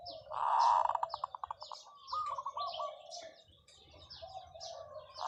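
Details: Decoy zebra dove singing its long call: a strong vibrating coo opens, then fades into quick evenly spaced pulses, followed by softer rolling notes, with many small birds twittering high above throughout.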